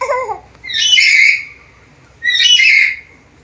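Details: Black-capped lory, described as talkative with varied sounds: a short low warbled note, then two loud, rasping, whistle-tinged squawks about one and a half seconds apart in a quiet setting.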